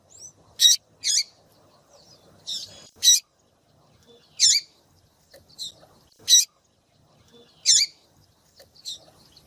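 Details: Female rusty-collared seedeater giving excited calls meant to warm up a male: sharp, rasping high chips, often in pairs, spaced irregularly over quiet background.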